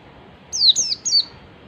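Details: Ngalas song of an oriental white-eye, a lure for any white-eye: three clear, high whistles, each falling steeply, given in quick succession.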